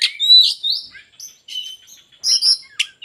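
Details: Oriental magpie-robin with tail fully spread delivering a varied song of rising whistles, sweet slurred notes and scattered sharp chips and twitters.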